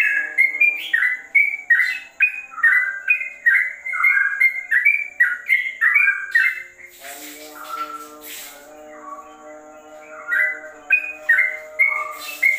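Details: Trucukan, the yellow-vented bulbul, in rapid ropel song likened to a straw-headed bulbul: quick bubbling whistled phrases, then a brief clattering noise burst and quieter pause before the whistling resumes, with a steady low hum throughout.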